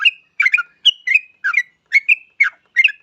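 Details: Yellow-vented bulbul in full song, used to lure other bulbuls into singing: quick pairs of rich, bubbling, slightly rising whistled notes, about seven phrases in three seconds.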